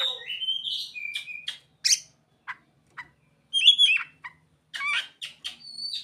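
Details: Mimicked ciblek and sogon phrases in an Oriental magpie-robin's song: rising whistles, crisp staccato chips, and short trilled bursts in separate bursts with gaps between.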